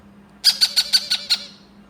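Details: Yellow-crowned amazon chick being hand-fed: a quick run of six harsh, raspy squawks packed into under a second, each sharp and high, over a steady low hum in a quiet indoor setting.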